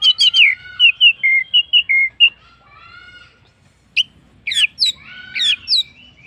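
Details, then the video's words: Orange-headed thrush song used to get other birds to sing: a rapid string of clear whistled notes, then a pause and several sharp sweeping high whistles with rising and falling slurs. "pancingan Anis merah paling ampuh bikin burung lain ikut bunyi"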